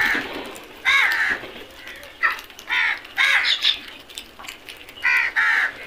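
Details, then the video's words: Flock of crows calling while eating: harsh, nasal caws in short bursts, some doubled, several birds overlapping across the clip. "Flock of crows beautiful sound effect"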